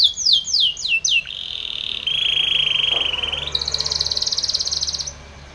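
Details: Spanish Timbrado canary training song: a few loud downward-sweeping notes, then a smooth sustained buzzy trill, then a higher fast pulsed rattle before fading out.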